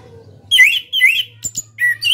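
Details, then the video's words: Orange-headed thrush (anis kembang), a national contest champion songbird, sings a run of rich, varied whistled phrases, some slurred downward, others sharp and high, in quick bursts with a faint low hum behind. "KICAU ANIS KEMBANG NGEPLONG"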